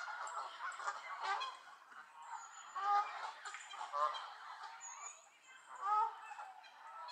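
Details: Angry Canada geese in a gaggle at Elvaston Castle, 3-10-15: continuous overlapping nasal honks from many birds, with louder peaks roughly every second or two over a constant chattering din.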